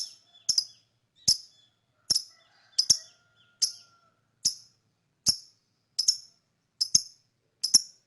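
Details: Lovebird chirping to lure other birds: a steady series of sharp, high, clicking chirps, some doubled, spaced just under one second apart, with faint thin tones between.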